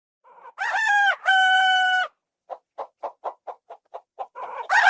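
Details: Rooster crowing: two long, strained, harmonic-rich notes, then a silent gap followed by a run of about eight short, evenly spaced clucks, ending on a loud rising call.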